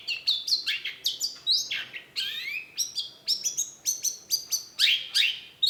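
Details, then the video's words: Cendet, the long-tailed shrike, in full active song. Rapid, varied phrases tumble out: short clipped notes, sweeping whistles falling and rising, and scratchy bursts with barely a pause between them. "cendet gacor PANCINGAN LANGSUNG NYAUT || Long-tailed Shrike"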